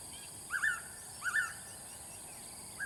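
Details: Blue-winged pitta calling twice, each call a clear, mellow two-part whistle, the pairs about three quarters of a second apart, over a steady high insect-like hiss.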